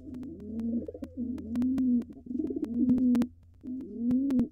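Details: Wild male pigeon cooing to court a female before laying while she dances, inside a nest box. Four low, rolling coos, each rising then holding, with sharp taps and clicks between them and a steady low hum.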